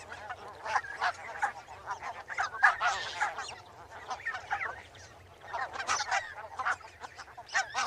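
Barnacle geese give short, sharp yapping barks, many overlapping in quick bursts like a chorus of small dogs, with a brief lull midway.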